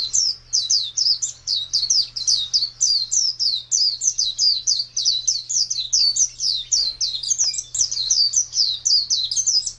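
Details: Caged pleci white-eye, a champion contest singer recorded in 2017, producing continuous high twittering with fast sweeping notes packed closely together and a low background hum.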